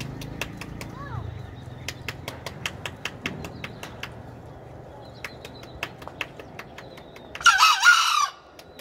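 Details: Green junglefowl giving one loud, coarse crow near the end, a brief two-note burst, after several seconds of quiet sharp clicking sounds and faint low background rumble.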